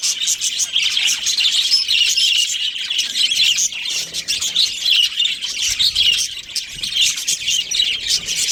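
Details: Two breeding budgerigars chattering nonstop in rapid, high, buzzy chirps and twitters, loud and evenly sustained throughout, with a slight dip in intensity near the end.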